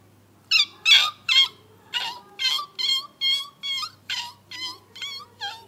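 White-browed wagtail chicks give harsh, high, buzzy begging notes, about a dozen in quick succession, roughly two or three each second.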